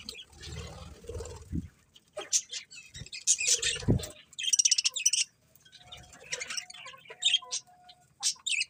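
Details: Chirping budgerigars trade quick, scratchy high notes and short warbles in uneven bursts, mixed with low thumps and a few soft whistled tones.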